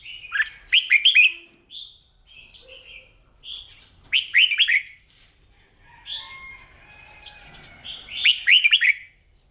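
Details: Red-whiskered bulbul in morning song training for competition; three energetic bursts of rapid chirpy, warbling notes with softer whistles between, the last burst longer and richer.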